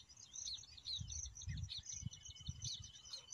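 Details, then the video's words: Baya weavers chatter in a dense, high tangle of overlapping chirps and squeaky twitters, with a steady thin hum and low rumbling noise beneath. "Baya Weaver Call"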